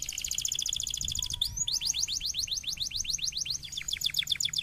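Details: Canary song meant to stimulate lazy canaries to sing: a dense rapid high trill, then a run of evenly repeated sweeping notes about five per second, shifting into a quicker rattling trill.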